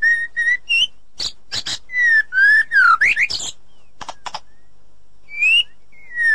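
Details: Forest white-rumped shama, described as a female calling the male. Clear, steady mid-pitched whistles alternate with sharp, noisy bursts and a quick descending slur, then fall silent before two more whistled notes.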